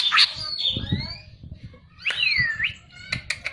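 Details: Cucak ijo, or Greater green leafbird, whistling: long sweeping whistles that rise and fall, with a few sharp notes at the end over soft low background noise.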